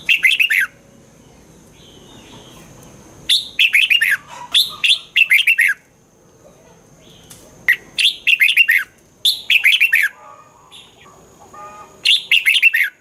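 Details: Song of a red-whiskered bulbul, used to stimulate caged birds: repeated bursts of three to five sweet, warbling notes every couple of seconds, with soft twittering between phrases and a quiet background.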